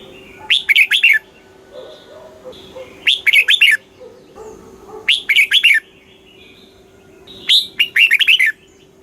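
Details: A red-whiskered bulbul in Thailand repeats a short, lively phrase of three or four bubbling, whistled notes about every two and a half seconds, over a faint steady hum; the recording is played to excite birds and to teach young birds.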